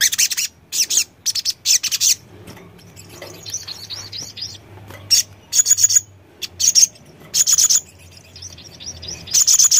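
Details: Sogon singing energetic bursts of piercing high chirps and quick trills, with quieter twittering in between and repeated loud runs toward the close.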